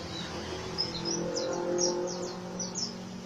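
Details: Oriental white-eye singing in the rough ngriwik manner, about a dozen high, falling chirps spaced irregularly over three seconds above a steady low hum.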